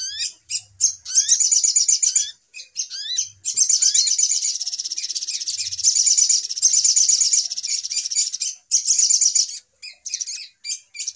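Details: Sogok ontong, the little spiderhunter, used as a trapping lure: upward-slurred chirps mixed with long, high, buzzy chattering runs, in irregular bursts and pauses.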